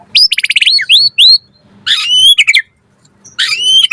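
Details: Loud white-rumped shama song meant as a training lure for other birds: rapid trill of rising whistles, sweeping upslurs, then two bursts of buzzy, rich notes topped by clear whistles, with a silent gap between.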